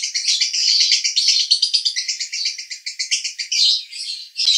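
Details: Male lovebird from Cibinong, Bogor, singing in the konslet "roda gila" style as a master recording: a fast, unbroken chatter of high, buzzy chirps and squeaks packed tightly together, pulsing several times a second.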